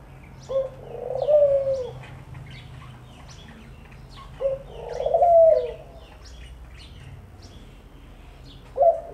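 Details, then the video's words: Repeated low dove coos, each a brief lead-in note followed by a fuller sustained hoot, spaced about four seconds apart, with faint high chirps of other birds in the background. "ঘুঘু পাখির ডাক"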